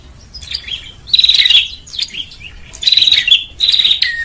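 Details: Lure sound of a bar-winged prinia meant to gather birds: scattered thin chirps, then three loud buzzy pulsed trills of about half a second each, separated by brief downslurred whistles.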